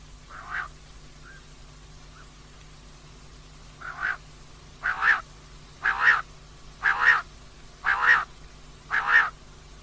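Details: Female common quail calling: after a few soft notes, rasping calls come every second in a regular series, growing louder, with a faint low hum throughout.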